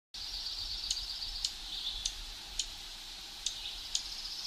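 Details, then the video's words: A dark-eyed junco on its breeding grounds in high forest of the Great Smoky Mountains gives sharp, high smacking chip calls, about six in four seconds at an uneven pace, over a steady high insect-like hum. "Dark Eyed Junco Call Sounds"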